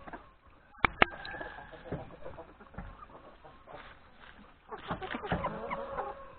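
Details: Yard flock of hens and three roosters at breakfast before forest grazing; soft scattered clucks under two sharp knocks early on, then a louder burst of clucking and drawn calls near the end.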